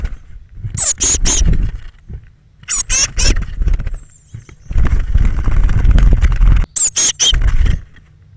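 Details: Early morning on 21 May 2017 as thirteen Eurasian blue tit young leave their nest box between 06:00 and 08:00; three-note bursts of high, thin, buzzy calls recur between loud low rumbling and scraping inside the box.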